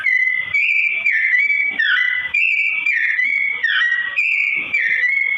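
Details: Slow-tone song of a persistently singing sooty-headed bulbul, used as tutor song for straw-headed bulbuls: a continuous run of rich, fluty whistled phrases with slides and dips, each lasting about a second and flowing into the next.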